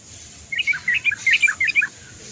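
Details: Yellow-vented bulbul recording played to coax birds to sing: a lively bubbling phrase of rapid liquid chirps lasting about a second and a half, over soft background hiss.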